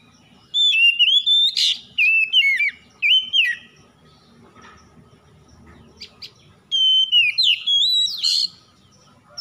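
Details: Kacer, the oriental magpie-robin, singing at dawn as a lure recording to set stressed birds singing: a long burst of fluid, warbled whistles with quick slurred notes, a short pause, then another varied phrase.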